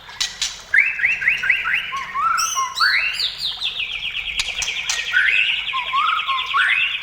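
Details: Energetic white-rumped shama song: repeated upslurred whistles, a sweeping rise, then a long rapid buzzy trill, closing with softer whistled notes.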